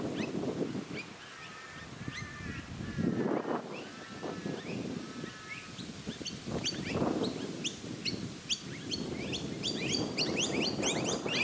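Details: Blue-faced honeyeaters on the Sunshine Coast, Queensland, in August 2020 give harsh, squeaky calls, joined later by a rapid run of sharp, high chips from noisy miners. A steady low rumble runs throughout.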